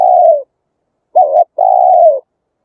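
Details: Spotted dove from the Vietnamese countryside used as a loudspeaker lure for wild birds: a long, low, steady coo, then a short doubled note and another drawn-out falling coo, with silence between.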